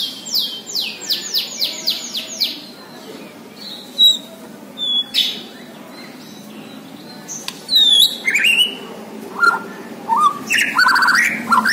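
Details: White-rumped shama of the Borneo type singing: a rapid train of about ten sharp downslurred notes, then scattered clear whistles and richer warbled phrases, with a faint rumble beneath.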